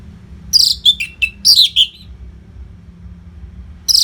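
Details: Orange-headed thrush, a songbird kept in Singaraja, Bali, used to train contest birds: a brief burst of four or five loud, descending whistled notes with sharp high overtones, followed by quiet hum and one more note at the end.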